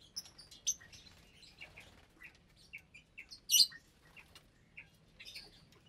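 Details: Colony of about 25 caged lovebirds, parblue, euwing, opaline, lutino and albino, feeding at meal time in January 2023; scattered short high chirps and squeaks, one loud shrill note in the middle, faint low hum beneath.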